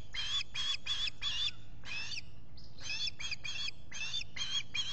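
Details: At a Finger Lakes nest in the US, an osprey squawks on a July 2021 morning beside its preening mate, caught by a solar nest camera: bursts of strident, ringing chirps in quick clusters, with a short pause near the middle.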